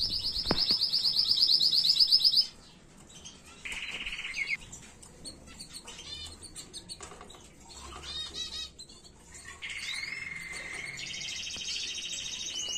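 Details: Canary tutor song for teaching young birds: a high rapid trill, then a lower buzzy roll, scattered chirps and wing flutters, closing with a sustained high trilled phrase.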